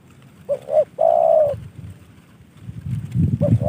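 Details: Caged spotted dove, a decoy bird given by a fellow hobbyist, gives two short coos and a long drawn note; low rumbling background noise rises toward the end.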